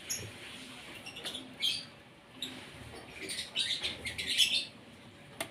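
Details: Asian pied starling (jalak suren) during morning feeding, kept bird: scratchy, chattering phrases rising into a louder run of harsh high notes near the end.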